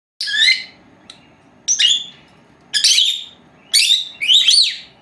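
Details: Two caged pet female lovebirds, four months old, calling while napping indoors: five loud, harsh, high chirps in short bursts separated by about a second of quiet.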